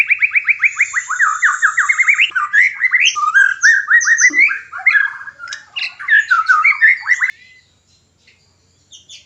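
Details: White-rumped shama in a cage, recorded to stimulate mating; rapid series of repeated chirps and whistled slurs with a high thin whistle overhead, stopping abruptly, then near silence.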